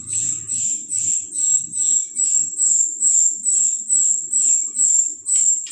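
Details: Golden-bellied gerygone singing a steady series of very high, thin whistled notes, each slightly falling, repeated roughly twice a second with even rhythm; soft low murmuring in the background.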